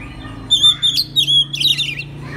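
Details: Oriental magpie-robin song used as a master recording to get other magpie-robins singing: clear high sustained whistles with sudden leaps and a scratchy twittering finish, over a steady low hum.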